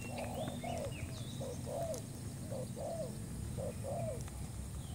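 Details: Spotted dove, a new bird, calling as a trapping lure: paired and tripled hoarse coos, the last note of each group sliding downward, with thin whistles of other small birds above a constant low hum.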